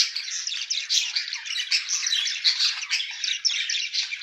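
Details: Budgerigars as a mated pair chirp and warble continuously, bright squeaky notes and buzzy chatter in a rapid, dense stream.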